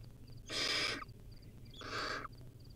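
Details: Wild barn owl owlet with a rodent meal gives two strong hissing screeches, the second slightly lower and shorter, with faint high pips around them.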